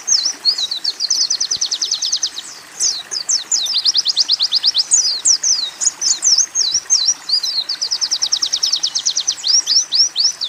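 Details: Oriental white-eye training song with canary and sunbird phrases: long high buzzy trills of rapidly repeated notes alternating with bursts of slurred, twisting whistles, steady and loud throughout.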